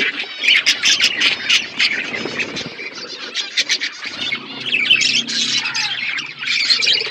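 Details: Many budgerigars chattering while eating winter food: rapid chirps, squawks and warbled notes overlapping continuously, with a low hum in the background during the second half.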